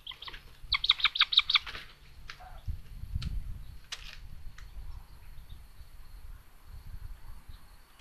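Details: Common buzzards at a nest in Tiszalök, Hungary, on 29 May 2022, during a young sister's attack on her brother, caught by a live nest camera: a fast burst of short, harmonic chipping notes, then scattered clicks and low rumbling.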